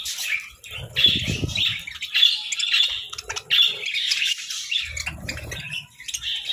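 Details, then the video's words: Sunbathing budgerigars chattering in bursts of harsh squawks and quick chirps separated by brief pauses, with soft low knocking sounds at times. "Sunbathing Budgies"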